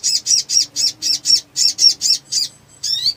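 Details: Black sunbird, described as a lively bird in full voice, used as a lure to trigger singing: a fast series of ten high, buzzy chirps about twice per second, then a short pause and a rising, sweeping note.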